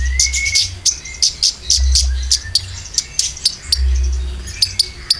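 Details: Caged-bird lure of Konin with filler: flat whistled notes opening, then sharp high chirps repeated about every quarter second, with a low rhythmic thumping.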